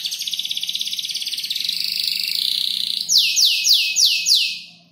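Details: Five-month-old canary piecing together learned songs of ciblek, klik-klik and prenjak lumut; a long fast buzzy trill gives way to five loud descending whistled sweeps that fade out, soft low hum behind.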